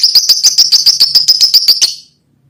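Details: Lovebird chirping to call a female: a rapid string of about a dozen high, sharp chirps at a steady fast pace, ending abruptly after two seconds and followed by silence.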